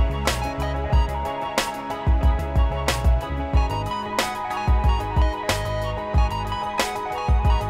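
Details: Strummed guitar music with steady plucked chords and a low bass rhythm, with no animal voice heard.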